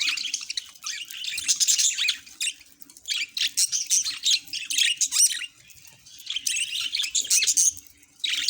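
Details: Pet budgerigars chattering: a busy mix of high, scratchy warbles and squawky notes in uneven bursts, with a faint steady low hum beneath.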